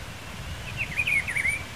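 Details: Wild Rufous-browed Peppershrike (Cyclarhis gujanensis) singing at Pedro Gomes, Mato Grosso do Sul, Brazil: one short, rich warbled phrase of slurred whistled notes rising and falling, lasting under a second, over faint low background rumble.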